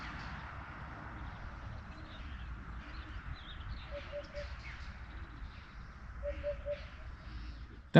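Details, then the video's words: A distant Eurasian hoopoe heard at a derelict mining site at Mazarrón, Spain, gives two soft, low triplets of hollow 'poop-poop-poop' notes, evenly spaced, under steady wind rumble. "Before we go any further, I'm just going to stop and listen because over there I think I can hear a hoopoe."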